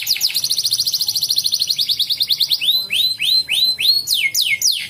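Atlantic canary song: a fast trill of high rapid notes, then a run of loud sweeping whistles that rise and fall, each about half a second long.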